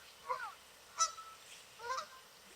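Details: Canada geese swimming on a lake, calling out to each other: three short, nasal honks spaced about a second apart, the middle one sharpest and brightest.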